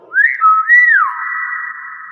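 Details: Hill myna, presented as chatty and recorded with its real voice, producing a clear whistle that rises, dips, swells again and then falls into a long steady tone that fades out.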